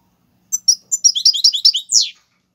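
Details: Algerian-style European goldfinch singing tiwawati galoubi and serfati phrases, played for training young birds: a few separate sharp chips, then a fast run of high, slightly buzzy notes that ends in a downward-sweeping note.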